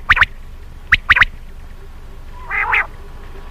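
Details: Common quail giving short, sharp, high notes, mostly in quick groups of three, with a longer harsher chattering burst midway over a steady low background hum.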